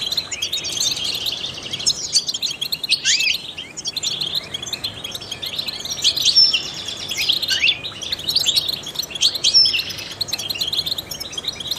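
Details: A trained European goldfinch sings continuously for other songbirds to hear, a liquid jumble of rapid twittering, buzzy trills and scattered downward-sliding notes, with phrases loosely repeated about every three seconds.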